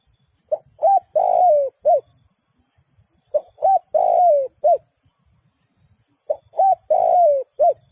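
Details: Decoy spotted dove kept for bird trapping gives three matching coo phrases about three seconds apart. Each phrase has two short mellow notes, a drawn-out falling coo and a brief closing note. The background is quiet.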